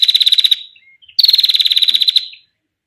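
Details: Female bar-winged prinia's 'ngetir' trill: a short burst of rapid high pulses, a tiny soft note, then a second, longer rattling trill that fades away. Recorded as a tutor or lure sound.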